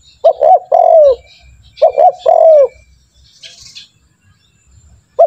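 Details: Spotted dove calling as a training lure for quick-calling birds: two phrases of a stuttered pair of notes and a long sliding coo, then a brief high hissing rustle and the start of another phrase.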